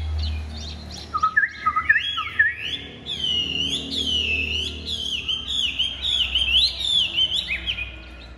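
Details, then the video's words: Big-bodied Chinese hwamei with pure white wing feathers delivers a strong, melodious song. It moves from lower whistled notes into a fast series of arched, sweeping high phrases over a faint low hum. "Hm 2630 - Ngũ trường bộ to, giọng cực hay, lông cánh trắng tinh | Họat Họa Mi"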